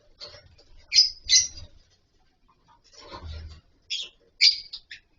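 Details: Several lovebirds kept in a colony aviary with wooden boxes and mud bowls for nesting give a few sharp, high squeaky chirps in two short clusters, with soft low thumps and quiet gaps between.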